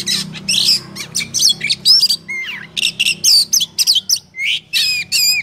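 Oriental magpie-robin song: a rapid run of varied whistles, rising and falling notes and harsh squawky bursts, delivered in short phrases with brief pauses between.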